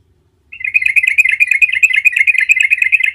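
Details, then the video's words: Yellow-vented bulbul in full gacor rolling song, played as a lure to prompt other bulbuls to reply; after half a second of silence, a steady, fast stream of bright chirping notes continues without pause to the end. "Trucukan jenis apapun 100% NYAUT seketika dengar panggilan Trucukan gacor ngerol ini"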